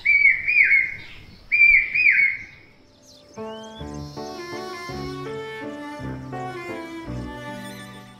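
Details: A common hawk-cuckoo, the brain-fever bird often heard in the rainy season, gives two loud, shrill whistled phrases, each a quick rising 'brain-fever' run, about a second apart, before instrumental music takes over.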